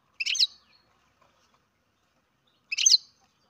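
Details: Two short, buzzy, twittering calls from a captive-bred baby European goldfinch, about two and a half seconds apart, with silence between them.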